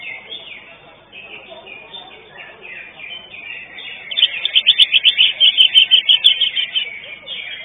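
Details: Common green magpie singing during a bird singing competition on 19 March 2022, where it placed fourth; a busy run of high chattering and whistled phrases, ending in a loud burst of fast repeated notes about two per second.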